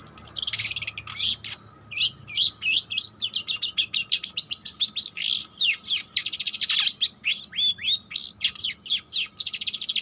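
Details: Juvenile long-tailed shrike practising its song, a long, dense, rambling run of sharp chirps, squeaks, rasps and quick slurred whistles that barely pauses, over a faint constant hum.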